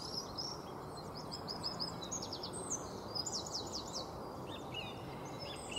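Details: Song thrush (Turdus philomelos) singing in Beverwijk, the Netherlands, in 2018: high, clear phrases each repeated three or four times in quick succession, sharp whistled and chirping notes over a steady broadband background hiss.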